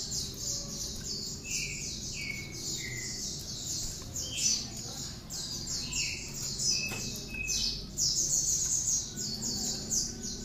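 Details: Wingko, the cinereous tit, in a song containing bar-winged prinia phrases used for tutoring songbirds: dense high scratchy chatter throughout, broken by short lower whistled slurs falling in pitch, repeated several times.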